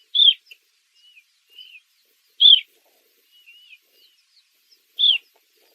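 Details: Eastern Clapper Lark repeating a loud, falling whistle three times about every two and a half seconds, with quieter thin twittering notes in the gaps.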